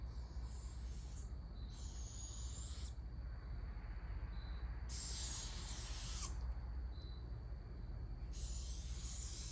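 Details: Juvenile barred owls beg while an adult feeds them, giving repeated rasping, hissing screeches about one to one and a half seconds long, roughly every three seconds. A steady high-pitched whine fills the gaps over a low rumble.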